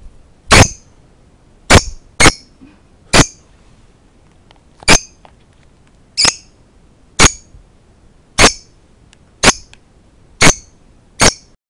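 A lovebird gives about eleven sharp, shrill chirps at uneven intervals of roughly one second, each very brief and high-pitched, in a quiet room.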